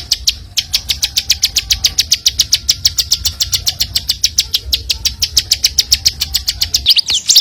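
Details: Bar-winged prinia singing vigorously, kept as a tutor song for magpie-robins and other prinias: a fast, even run of sharp high chirps, about three or four each second, over a low rumble like passing traffic.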